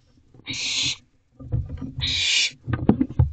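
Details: In an owl box at 4:20 am on 14 June 2023, barn owls fight over a mouse. Two long, rasping hiss-screeches come about a second and a half apart, followed by scratchy scuffling and knocks.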